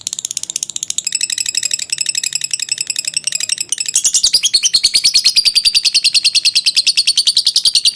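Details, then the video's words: Lovebird's prolonged ngekek trill, played for training birds: quick chattering pulses that grow louder and shriller after a few seconds, continuing evenly to the end. "Suara jernih burung lovebird ngekek panjang, 100% ampuh dan terbukti untuk melatih."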